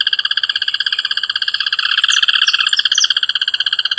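Rufous hornero song: a loud, fast, even chatter of shrill ringing notes, with other high chirps briefly overlapping midway.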